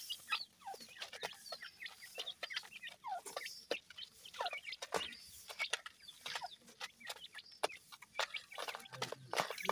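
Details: Grey francolin chicks, seven days old, feeding: steady chorus of faint high cheeps broken by many sharp pecking taps and scuffling sounds throughout.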